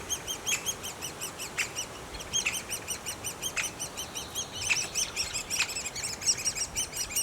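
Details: Great spotted woodpecker nest with nestlings: dense, overlapping high chattering chirps repeated rapidly, with a few sharper louder calls standing out.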